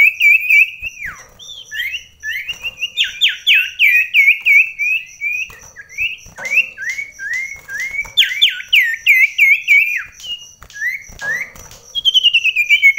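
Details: Common iora (sirtu) in an indoor mental contest with a rival at very close range during daily rain: a continuous, lively stream of clear whistled notes, many sharply down-slurred, bursts of quick repeated phrases, ending in a fast trill.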